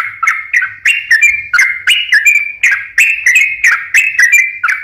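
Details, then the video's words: Lively yellow-vented bulbul song played to coax sluggish or stressed birds into singing: chattering, liquid warbled phrases repeated roughly once a second, each with a sharp start and rolling, bubbly notes. "pancingan suara burung trucukan gacor"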